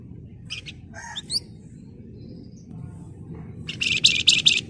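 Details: Flamboyan singing in the tight ngebren style: brief twittering chips and rising squeaks, a pause, then a burst of dense, high, rattling trills over low background hum.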